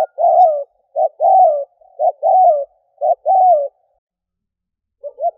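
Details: Spotted dove coos used as a lure for doves: four phrases of a clipped note plus a longer descending coo, steady rhythm, then a quiet pause and a faint phrase.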